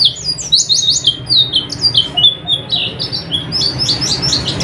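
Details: Oriental white-eye singing for night-time training of caged birds: a fast continuous stream of high, sliding chirps and twittering notes, dense and busy, over a faint low hum.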